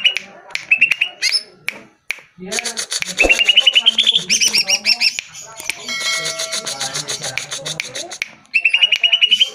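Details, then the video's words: Greater green leafbird song used as a lure to make caged birds answer and sing. Runs of rapid, repeated whistled notes rise slightly in pitch, mixed with harsh chattering bursts and dense buzzy trills through the middle. "Pancingan Suara Burung CUCAK IJO Dijamin NYAUT"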